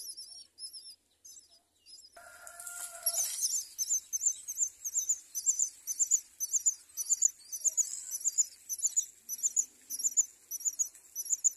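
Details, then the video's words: Myna parents raising four chicks at the nest; a few high squeaks, a brief louder harsh double tone, then a long rapid series of shrill chirps several per second. "Myna birds, raises four children"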